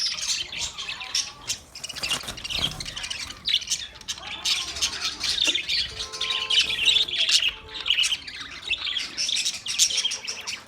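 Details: Flock of Australian parrots chattering for about eleven seconds, with rapid overlapping high chirps and squawks and a few held whistled tones in the second half.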